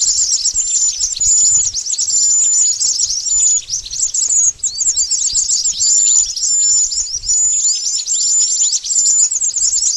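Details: Lure recording of pied bush chat for trapping: a continuous stream of quick, high, overlapping twittering chirps with thin whistled notes, busy and steady all the way through.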